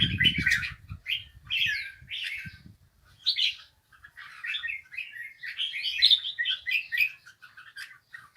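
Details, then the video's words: Bulbul song: lively chirpy warbles delivered in quick bursts, some phrases slurring upward, building into a busier chattering stretch toward the end; a few low thuds and handling noise at the start. "Bổi Hót nghe HAY"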